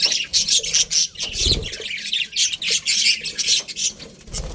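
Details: Colourful budgerigars in a breeding colony chattering together: dense, overlapping high scratchy chirps and squawks in fast, uneven bursts with brief pauses, plus a soft low thump near the middle.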